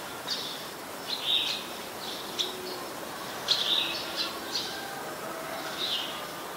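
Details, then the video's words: Ashy woodswallow, a very common resident, recorded on 14 December 2019 in Ubon Ratchathani, Thailand: short high nasal chirps repeated irregularly over several seconds against a steady rural background hiss. "นกแอ่นพง (Ashy Woodswallow)"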